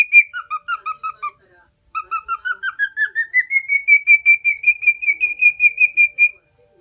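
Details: Pet male lutino cockatiel, four years old, from Minoo, Osaka, Japan, tame, singing: a few paired two-note whistles, a pause, then a long run of evenly spaced whistled notes rising gradually in pitch and levelling off high.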